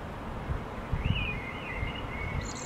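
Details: Common Blackbird singing in May 2013 in Helsinki, Finland, one bird on a rooftop; a short fluted, wavering whistle phrase drifts over steady low traffic rumble.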